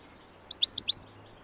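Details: Mutant European goldfinch singing: a quick burst of four short, high, clear chirping notes in under half a second, alternating slightly in pitch, against a quiet background with a faint low hum.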